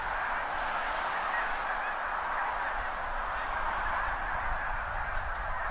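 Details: Wild snow geese, thousands strong, lifting off at once from fields by the seaway during high tide, mid-April to mid-May; an unbroken wall of yelping honks from many birds, steady in loudness throughout.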